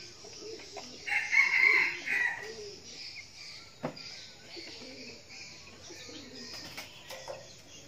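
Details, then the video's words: Decoy red junglefowl, described as crowing often, kept in Bình Phước province, Vietnam: one short, hoarse, buzzy crow of about a second and a half in distinct parts, followed by quiet background with faint insects and chirps. "Gà rừng mồi siêng gáy"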